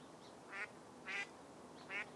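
Long-billed dowitcher giving three short, sharp, high 'keek' notes at uneven intervals of about a second, over a faint steady background hiss.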